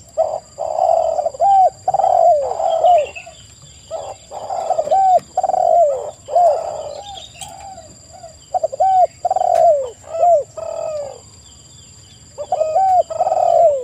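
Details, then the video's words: Spotted doves in a busy lure recording, cooing in rapid overlapping phrases of hooked, downslurred notes about one and a half per second, with loud distorted bursts and a constant high-pitched hum. "TEKUKUR GACOR suara merdu"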